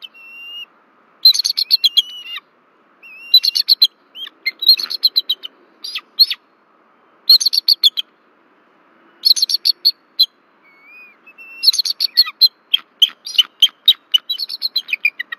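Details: Nesting bald eagle pair calling in alarm while an intruder passes over the nest tree, Berry College camera, Rome, Georgia, February 2024; repeated bouts of shrill staccato chitters, some series accelerating into long runs of sharp notes.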